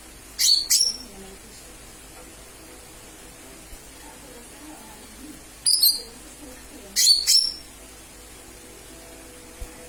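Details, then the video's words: Lesser green leafbird calling, used as a lure: three spaced pairs of sharp, high, slurred chirps separated by a few seconds of quiet. "Pancingan suara cucak ijo mini/ijo mini memanggil"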